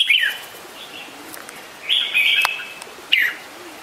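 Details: Red-whiskered bulbul with short bright chirped phrases, two brief bursts separated by quiet pauses and a final quick descending note, over a light background hiss.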